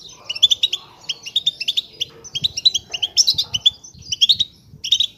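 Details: Goldfinches chattering as a group to rouse other goldfinches into song; crisp repeated twitters come in quick triplet-like clusters roughly every half second, bright and metallic, with soft background rustling.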